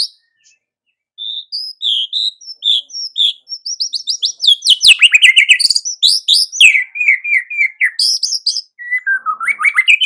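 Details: White-rumped shama in full, lively song, meant to rouse other shamas at morning: varied whistled phrases and rapid chattering trills, high sweeping notes alternating with dense buzzy bursts, nearly continuous after a short pause.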